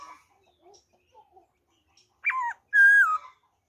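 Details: Black-throated laughingthrush singing wild-type song, 26 December 2020: faint scattered chirps, then a sharp angular note and a loud clear whistle that dips slightly and falls at its end.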